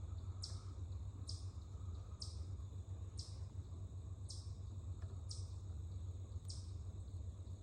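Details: Birds in woods give many sharp, high chip-like alarm notes about once a second, faint over a steady low rumble of distant noise, on 10/2/25, the woods otherwise dead quiet.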